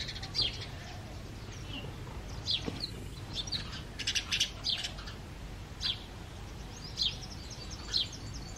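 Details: Male house sparrow chirping loudly in breeding season, giving short, bright chirps singly or in pairs every second or so over a low background hum; House sparrow.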